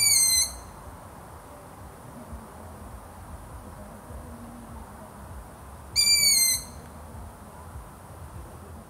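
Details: Two high, thin whistled notes from a long-eared owl, each dropping slightly in pitch and carrying strong overtones, six seconds apart, with quiet hiss between them.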